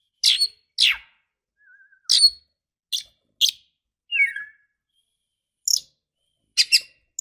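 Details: Female oriental magpie-robin luring a male: sharp high chirps dropping steeply in pitch, given singly about every half second to second, with one soft wavering whistle and a short falling trill between.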